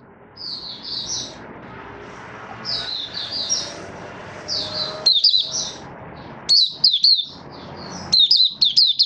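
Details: Caged Malaysian Oriental white-eye (mata puteh) in 'buka sing' opening song, recorded 1 August 2023 while out of form: clusters of quick high chirps, sparse at first, then sharper rapid twittering notes, over a soft background hiss.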